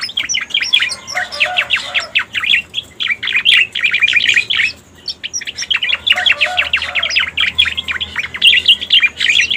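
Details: Pied bushchat chatter played as a lure, with near-continuous streams of quick, sharp notes in two long bursts separated by a short pause.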